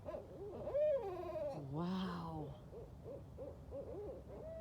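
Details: Group of Barred Owls calling at night while flying through branches: a loud rising then falling wail, a lower drawn-out descending moan, then a run of short repeated arched hoots from several birds.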